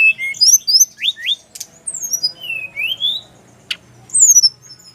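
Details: Brown-chested jungle flycatcher from Bali singing to draw replies from others of its kind. Short rising and falling whistled notes are spaced out, with a few clicks between phrases.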